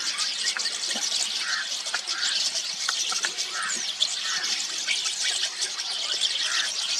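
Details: Flock of rosy starlings sucking nectar from semal blossoms in Maharashtra, India, keeps up an unbroken, shrill chatter of squeaks and rasping notes, with lower nasal blips recurring roughly every second.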